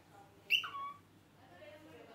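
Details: A 3-month-old pearl pied cockatiel says "peekaboo" to its favourite sock, a brief mimicked phrase in a raspy, whistly voice stepping down in pitch.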